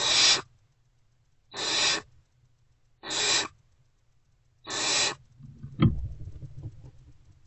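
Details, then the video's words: Hungry great horned owl chicks at about 5:35 am on 3 March 2024 in Owl Box C, four spaced harsh hissing screeches every 1.5 seconds, then a sharp knock and rustling movement. "Owlets Still Not Fed. React to Return of #GreatHornedOwl."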